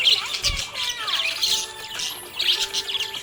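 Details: Budgerigar described as happy, chattering in a rapid, busy warble of scratchy high chirps and short whistles that rise and fall, set against faint steady background tones.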